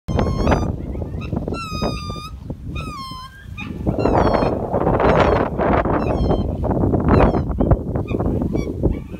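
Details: Black trumpeter swans, including a male, calling toward New Guinea singing dogs: a run of high, nasal, bugling honks, some rising then falling, over the first few seconds, then a rougher, noisier stretch of sound.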